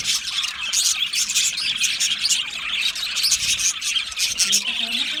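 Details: Lonely budgerigar giving loud contact calls or distress calls: dense, continuous high chatter of rapid chirps and scratchy notes, with brief bright squeaks scattered throughout and no pauses.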